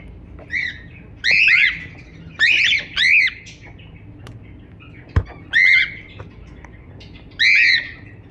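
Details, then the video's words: Cockatiel chirping in loud, arched, harmonic squawks, some in quick pairs, spaced irregularly over several seconds; a sharp click and low hum sit in the background. "Cocktail singing and chiriping"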